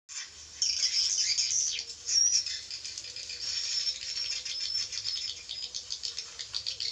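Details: Javan swiftlet calls played back to attract swiftlets: dense, high buzzy chattering and rapid clicking twitters forming a continuous rattling stream.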